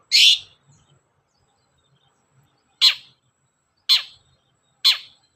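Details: Long-tailed shrike, a lure recording meant to make shrikes sing readily. Four harsh, rasping, downward-sweeping notes, one loud at the start, then three more about a second apart. Quiet background.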